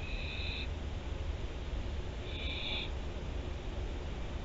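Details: On 24 September 2021 at Théding, France, barn owls utter two harsh, hissing screeches about two seconds apart against a low constant rumble.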